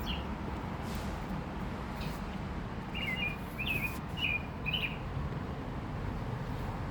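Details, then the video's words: Singing oriole: four or five brief fluty whistled phrases in a short burst midway, set against constant low-pitched environmental rumble. "Oriole Singing"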